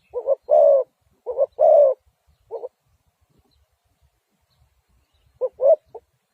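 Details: Spotted dove coos: two short notes and a long coo, repeated once, then a single short note, a few seconds of silence and a final clipped phrase.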